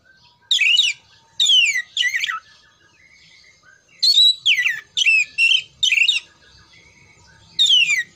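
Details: Kacer, the oriental magpie-robin, sings for contest training: sharp downward-sweeping whistles and rasping notes in quick clusters, roughly half-second phrases separated by short irregular gaps, against a quiet background.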